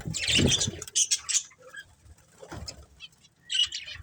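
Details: Colourful pet budgies in a family group; short bursts of high scratchy chirps alternate with pauses, mixed with wing flutters and low thumps from cage movement.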